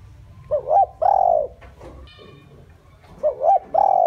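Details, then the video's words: Spotted dove kept as a lure bird, calling to draw in wild doves. Two matching phrases, each a pair of quick clipped notes followed by a drawn-out mellow coo, separated by a short pause. "chim cu gáy mồi chuẩn gáy gọi kích bổi nhanh nổi hiệu quả"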